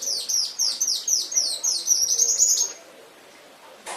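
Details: Pet canary training master song: evenly repeated, high downward-sweeping trill notes several per second for nearly three seconds, followed by quiet and a final click.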